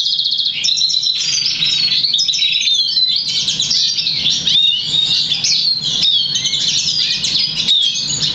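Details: Black Siskin x Russian Canary mule, crested and 50% variegated, bred August 2009 and trained to sing European Goldfinch notes; opens with a buzzy trill, then lively continuous twittering and downslurred whistles over low hum.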